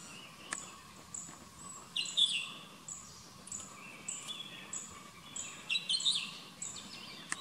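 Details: Southern hill myna (Gracula indica) gives loud, clear whistled and harsher notes in short bursts every few seconds, over a steady high insect drone.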